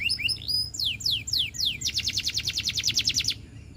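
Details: Russian canary singing: a few looping whistles and slow descending slurs lead into a fast, even trill of bright repeated notes. The phrase ends abruptly, with steady low background hum.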